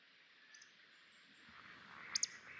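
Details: Male Eurasian Woodcock roding, its display flight at dusk over heathland in summer to attract a mate, passing overhead: a sharp, high double squeak near the end, with a fainter squeak earlier, over a steady hiss of dusk background.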